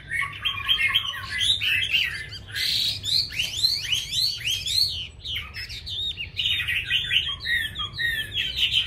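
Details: Chinese hwamei producing a busy, jumbled warble of sweeping whistles, quick upslurs and scratchy notes, loud throughout with a constant low hum behind.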